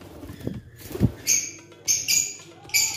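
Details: Grey Indian ringneck parakeet: three harsh, grating screeches, each about a quarter second long, after a couple of low knocking thumps.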